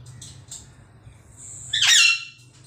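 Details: One drawn-out, rough, high squawk from a green pet parrot, preceded by a few faint chirps in a quiet room.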